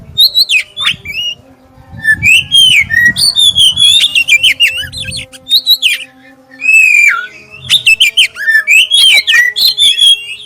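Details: Clear lure song of a black-breasted oriental magpie-robin, used to get other magpie-robins singing: rapid sequences of sweet, slurred whistles and sharp chips in three long bursts, with faint low rumbling and a constant hum beneath.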